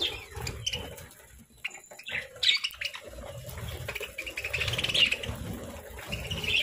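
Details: Pet parakeets during their morning feeding of fruits, seeds and grains, giving short high chirps in scattered bursts, some quiet gaps between, with low rumbling background noise underneath.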